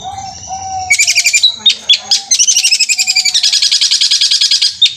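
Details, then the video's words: Long-tailed shrike singing in a fast rolling style likened to a sewing machine. After a brief human voice, the bird gives dense, high, chattering trills of rapidly repeated notes that run almost continuously. "Cendet Roll Speed suara kuntilanak Armageddon seperti mesin jahit gacor"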